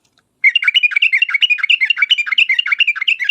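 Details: Sooty-headed bulbul singing in the lively uplik uplik tarong ropel style, used as a lure to make other bulbuls answer: a rapid chain of bubbly, chirping notes, about three per second, starting after a brief silence.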